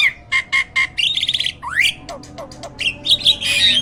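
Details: A caged hybrid jalak, a myna, used as a master singer for other birds to copy. Four evenly spaced squawks, then a rattling trill and a sweeping upslur, followed by loud jumbled harsh chatter.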